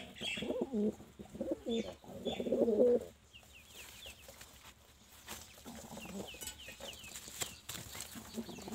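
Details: A pigeon gives low, throaty cooing bursts over the first three seconds, then quieter murmurs, while small birds chirp faintly in high notes in the background.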